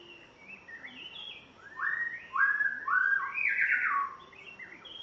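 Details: Newly homed spotted morning-thrush from Tanzania sings soft introductory twitters that build into several loud, rich whistled notes and a descending slurred flourish.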